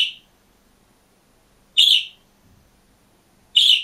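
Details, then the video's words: Budgerigar kept alone in a cage, singing and chirping: three loud, bright, high chirps, each short and clean, spaced almost two seconds apart with silence between. "МИЛЫЙ И ЗАБАВНЫЙ ПОПУГАЙ ПОЕТ И ЧИРИКАЕТ/ОДИН В КЛЕТКЕ"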